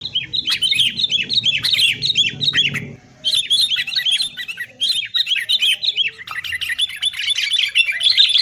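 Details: Sooty-headed bulbul in noisy, fighting-mode chatter used as a lure to get caged bulbuls singing; dense bubbling, chirping phrases in four bursts separated by brief pauses, with a low hum during the first three seconds.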